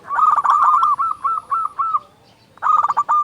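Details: Loud local zebra dove singing to urge other doves into song: a long rolling series of rapid coos slowing into spaced notes, a short pause, then another quick stuttering burst ending in a long note.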